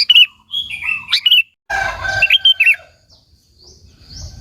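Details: Lively sooty-headed bulbul song used as a calling sound to rouse rival bulbuls: quick warbled, liquid chirps in short bursts, with a steady whistled tone underneath, then a quieter stretch.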